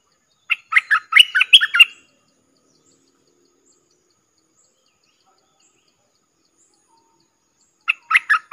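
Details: Decoy Streak-eared bulbul calling in wild birds with its song. A lively phrase of rapid, liquid chirps and warbles comes first. After about six quiet seconds, a similar phrase starts again.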